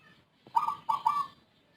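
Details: Zebra dove with a peculiar voice, unlike local or Bangkok birds, known to coo often and for a long time before dawn: one crisp phrase of three bubbling, rolling coo notes, the last one drawn out, in quiet surroundings.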